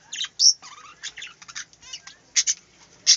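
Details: Budgerigar in a small aviary warbling loudly at close range, mixing high squeaky notes, buzzy chatter and descending whistled slurs, with sharp loud chirps at the start and end.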